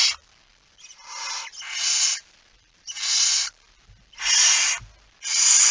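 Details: Barn owl with a mouse, recorded in Friesland, Netherlands, in September 2019, giving harsh broadband hissing screeches in bursts of about half a second to a second, with short silent gaps between them.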